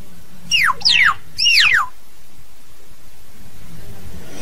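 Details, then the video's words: Hill myna song used to call the flock: a quick burst of three to four loud whistles, each sweeping sharply downward, then quiet with a low hum. "Tiếng Nhồng hót, tiếng Yểng hót gọi đàn"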